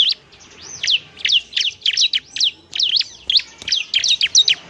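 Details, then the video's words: Bar-winged prinia (ciblek) in semi-active singing, used as a training model for other birds: quick high chirps and downslurred whistled notes in bursts of two to four, about twelve phrases in under five seconds, against a quiet background. "ciblek semi gacor, JADIKAN ciblek semi bahan agar cepat bunyi gacor"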